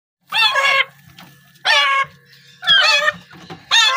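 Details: A young Alexandrine parakeet chick being hand-fed gives four harsh, raspy squawks, each about half a second long and roughly one per second, with a faint low hum between them.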